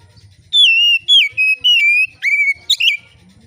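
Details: Oriental magpie-robin singing a relaxed, clear, steady song, used to prompt other magpie-robins to sing: loud pure whistles, most sliding slightly downward, then a brief rising note and quick twittered notes. A faint low rumble runs underneath.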